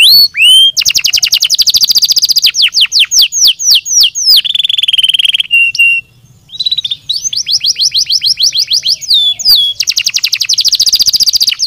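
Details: Canary song used to stimulate other canaries to sing: long rapid trills near the upper register alternate with fast downward-sweeping slurred notes and a few sustained whistles, with a brief pause midway and then more dense trilling.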